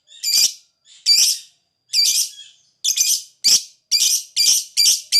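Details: Harsh, grating lovebird screeches, part of material meant to get other lovebirds to sing ngekek: loud high notes roughly once a second, becoming quicker and closer together toward the end.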